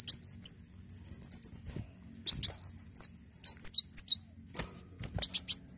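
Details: Brown-throated sunbird singing energetically as tutor and lure sound: quick series of high, sharp notes and short falling whistles in dense bursts, separated by brief pauses, with faint low hum and clicks behind.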